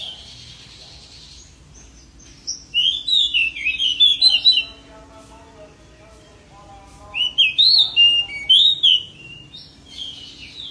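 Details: Pied bushchat in vigorous song, delivering two long warbling phrases of tumbling high whistles and twitters several seconds apart, with a lower voice-like murmur audible underneath.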